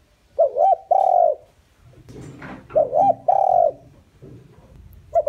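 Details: Lure spotted dove calling to provoke wild doves. Two full cooing phrases each pair a quick double coo with a long sustained falling note, amid faint rustling and low background noise.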